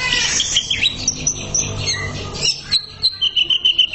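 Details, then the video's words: Greater green leafbird master song, with chattering whistled phrases followed by a rapid series of short, sharp repeated high notes, over a low background hum. "MASTERAN CUCAK IJO SANGAT MAHIR UNTUK TERAPI"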